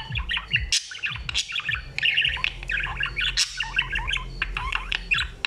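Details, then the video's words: Talking budgie chattering in bubbly, warbled phrases of quick clicks and chirps, several short runs in a row, with a low rumble underneath. "grasparkiet lekker aan het kletsen. talking budgie"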